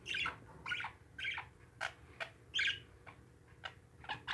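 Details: Home-kept parakeets utter bright, rolling chirps in short bursts about half a second apart, then trail off into softer twitters.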